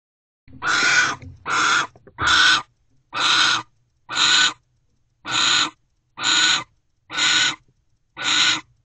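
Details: Owl pair mating at a nest box, Owl Box C, on 12/28/23 at 5:19 am after the female flies into the box: harsh, hissing, broadband screeches, nine bursts repeated roughly once a second with short gaps between them.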